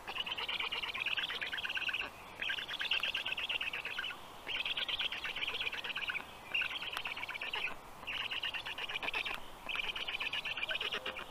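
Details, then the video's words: Black stork storklets at the nest in Estonia during an evening feeding at 6:22 p.m. on 15 June 2022; harsh, buzzy rasping bursts about a second long, repeated in a steady chorus with brief gaps between them. "Must-toonekurg2~Dinner for the storklets"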